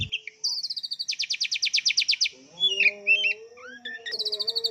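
An Oriental magpie-robin sings a loud, varied song of fast repeated trills and high sweet whistles, with a low humming tone underneath midway.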